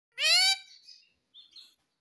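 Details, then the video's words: Pet talking parrot, a bird taught to say papa and mummy, gives one loud, harsh, rising screech. Fainter chatter follows, then two soft, brief notes after a short pause. "पापा मम्मी बोलने वाला मिट्ठू || Talking Parrot || Papa Mummy Bolega Mitthu"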